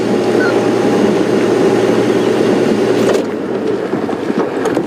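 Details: Loud rumbling vehicle noise on a safari drive, easing after three seconds, with faint voices and no animal calls.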